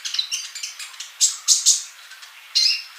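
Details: Male sunbird used as a tutor for young birds that are still silent; soft high twittering followed by three loud, sharp ringing chirps and one more after a pause.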